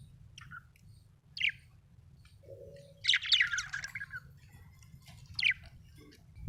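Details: Happy pet budgerigar chirping in short separate bursts: quick high squeaky notes, a lower brief tone, then a rich scratchy chatter and another sharp chirp, with quiet gaps and faint low hum.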